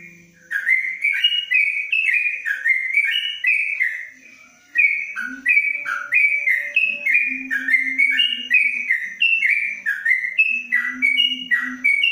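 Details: Extended 'ropelan' song of a caged yellow-vented bulbul under a cage cover: many fast whistled notes leaping between pitches, one brief pause near the start, with a low droning hum at times.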